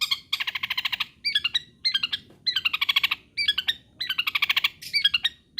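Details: Song of an actively singing long-tailed shrike, aimed at making other shrikes keep singing: harsh rattling trills of quick pulses alternating with short two-note whistled phrases, in roughly half-second bursts.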